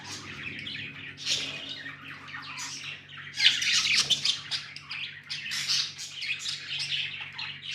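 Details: Budgies kept as pets chirping and warbling nonstop, quick scratchy notes with louder squawky bursts midway, over a faint steady hum.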